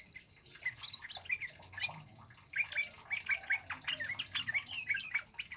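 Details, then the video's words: Male Scarlet-headed Flowerpecker in full loud song, a recording for luring and tutoring birds; quieter scattered twitters build after about two and a half seconds into a brisk, dense run of high squeaky chips. "SUARA BURUNG KEMADE CABE CABEAN BUNGA API GACOR LANTANG"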